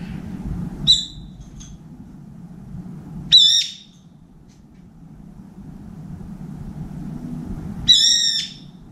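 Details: Brown-eared bulbul at a window feeder, calling to find a companion: three loud, shrill, harsh squealing calls several seconds apart, each a short burst with stacked bands, over a low background hum.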